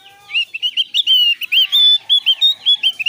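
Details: Javan grey-throated white-eye song, used as a lure to get other birds singing: bright whistled and chirped notes in quick uneven runs, some rising and some sliding, about 105 per minute, clear with little background.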